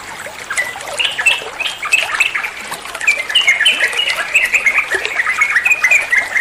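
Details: A bulbul known locally as trucuan, played as tutor song for other birds, delivers dense babbling chirps that grow into a quick series of slurred whistled phrases, with water trickling behind.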